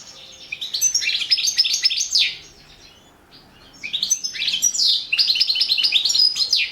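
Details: Goldfinch competing in the 2017 World Championship in Goldfinch Song held over the internet; two bursts of fast, high, jingling twitter, broken by about a second and a half of near silence.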